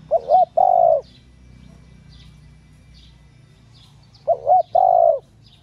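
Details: A female spotted dove coos to excite males. Two low phrases, each a short warbled double note then a sustained hollow coo, separated by a pause of about four seconds. Soft distant bird chirps are heard in between.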